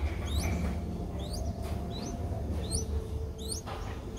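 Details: Nestling Streak-eared Bulbul aged five days, Ubon Ratchathani, Thailand, 7 April 2023. Short bursts of two or three sharply rising thin squeaks, spaced about a second apart, over low droning noise.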